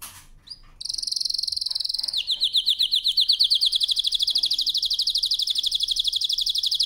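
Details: Canary singing a powerful training song: after a soft start, a sustained high trill gives way to a long, even, rapidly pulsed rolling trill held for several seconds.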